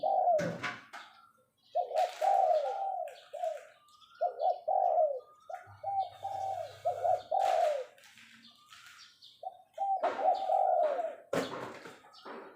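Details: Decoy spotted dove in captivity repeating its 'phao' call: rough, bubbling coo phrases, stuttered then falling, in bursts separated by short pauses, with sharp knocks, clicks, a low hum and faint high chirps from other birds.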